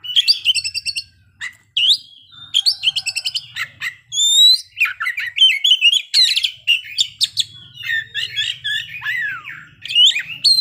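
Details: Oriental magpie-robin in full song, showing off its mimicked fill phrases: rapid high chips and buzzy trills, then sweeping whistled notes and slurred phrases in dense bursts with brief gaps; faint low hum beneath.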